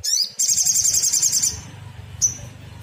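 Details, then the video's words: Agitated sogon (black sunbird) singing a lure meant to provoke other birds into answering: a fast, very high buzzy trill held about a second, then a short sharp high note, over a steady low hum. "Pancingan paling ampuh bikin SOGON apapun jadi nyaut nembak - PANCINGAN SOGON AGAR BUNYI"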